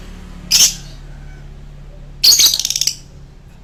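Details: A lovebird's choking song: a lone harsh squeak, a pause, then a scratchy burst trailing into a fast fading rattle of high notes.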